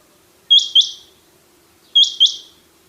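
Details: Rain quail, locally called chinghi batair, calling two loud, sharp double notes, each pair of high clipped whistles separated by roughly one and a half seconds, with a faint low hum beneath.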